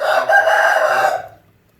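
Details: Aseel rooster crowing: one loud, harsh, rich-toned crow held for just over a second, steady in pitch, then fading out.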